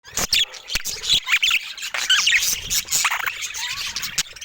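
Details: Budgerigars of varied colour mutations kept as pets, heard as busy squeaky chatter: overlapping high chirps, scratchy warbles and short squeaks, with occasional sharp clicks and taps.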